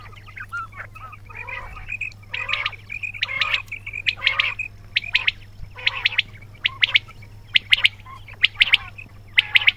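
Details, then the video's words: Rasping, buzzy quail notes alternate with sharp high chirps, bursts arriving about once per second in an irregular pattern, over a continuous low background hum. "بٹیروں کی آواز"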